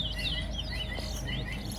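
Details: Towa towa, or Chestnut-bellied seed finch, competing in a Soesdyke, Guyana song contest, gives a short run of sliding whistled and warbling notes over a steady low hum while a voice counts.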